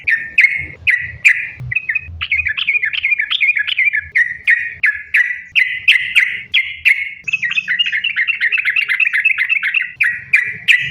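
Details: Sooty-headed bulbul in full rapid song as a lure for other bulbuls: loud clipped chirps repeated steadily, shifting into fast rippling runs of linked notes and back to spaced chirps.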